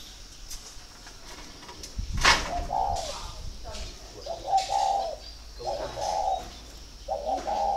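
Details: Spotted dove kept in Ba Vi, Vietnam, giving pairing-readiness coos; a loud knock interrupts early, then several low coo phrases follow in quick succession while a man speaks briefly.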